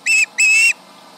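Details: Osprey yelling at a tractor near its Charlo nest, 11am MDT, July 31, 2019: two level, piercing whistles, the first short, the second drawn out longer, over a low hum.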